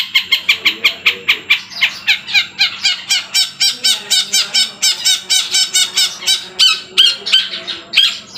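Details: Trotol long-tailed shrike in full song, mimicking kuntilanak and Tengkek Buto sounds, with a rapid, pulsing series of squealing, scratchy notes that vary in tone, delivered loudly and without pause.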